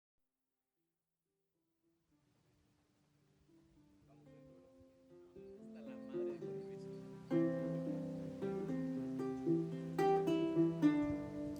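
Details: Plucked guitar music fades in and swells into steady strummed chords, with no animal sounds.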